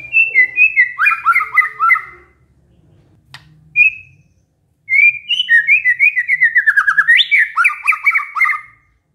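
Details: White-rumped shama singing canary-style phrases in a caged bird recording: rapid whistled trills and repeated slurred notes, a pause with a single sharp click and short whistle, then a long fast series of descending chirps.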